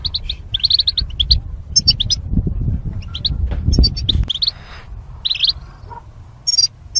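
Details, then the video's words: Caged goldfinches kept for mating and singing training; short twittering chirps and a few rising notes, broken by a noisy rustling patch midway and quieter gaps, with low rumble beneath. "Goldfinch Chirping Sounds"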